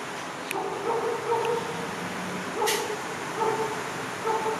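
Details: A hornbill on a return visit, giving short nasal honking calls in loose series, with background hiss and a couple of sharp clicks.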